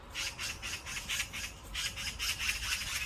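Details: Oriental magpie chick not yet ready to leave the nest calls throughout in a continuous series of scratchy, grating bursts, roughly two per second with uneven spacing, over a low hiss.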